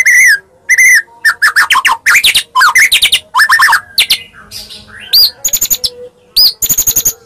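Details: Medan white-rumped shama delivering a varied, energetic song as a fighting lure for rival shamas: loud ringing whistles, fast chattering notes and abrupt high upslurs in quick bursts separated by short pauses.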